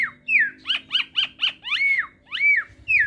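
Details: Captive Asian pied starling crossed with Nias hill myna, song for training birds: a descending slurred whistle, four quick sharp notes, then arching whistles repeated about every half second.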